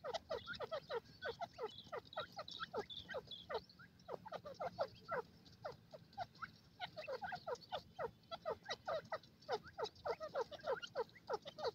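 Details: A pair of francolins calling in forest: long runs of short, harsh, stuttering notes repeated in fast clusters, sometimes overlapping, with brief gaps between bouts.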